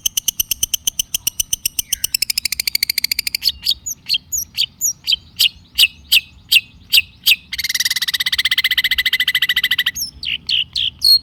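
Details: Vigorous Long-tailed shrike song used as a lure for quiet shrikes: rapid dry ticking trill, a high buzzy rattle, a run of separate sharp chips, then a dense harsh buzzing burst and a few final notes.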